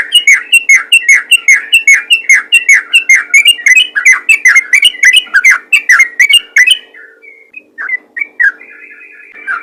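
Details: Ropel ngalas calling by a yellow-vented bulbul, used to call other bulbuls: loud, bubbly chirping notes repeated quickly and evenly for about seven seconds, then a few scattered chirps and a thin whistled tone over a low steady hum.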